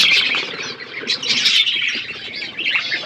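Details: A group of budgies chirps while eating, producing constant loud, raspy twitter and warble without breaks, with rustling underneath.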